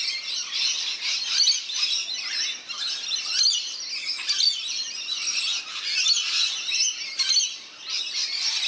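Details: Rainbow lorikeets having a bath in a backyard birdbath, NSW, Australia; loud grating squawks and shrill chatter overlap steadily, with a short lull around the middle.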